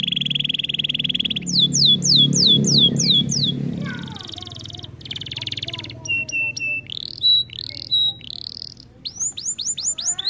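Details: Canary song for training: a steady high tone over a low rumbling background at first, then quick descending chirps, separate sharp whistled notes with gaps, and a final burst of sweeping notes.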